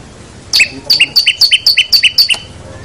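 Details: Long-tailed shrike song recording used for training other birds: a quick run of about nine sharp, repeated two-part chirps with a high and a lower note, evenly spaced over two seconds, clean background.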